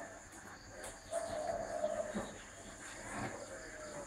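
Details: Spotted dove delivering a single smooth, low coo phrase lasting about a second, surrounded by faint background noise and a soft thump.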